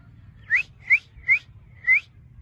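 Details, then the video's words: Pet ringneck parrot whistling four short, clear notes, each sliding upward in pitch, spaced roughly half a second apart over a quiet low background hum. "Talking Ringneck Parrot Sounds"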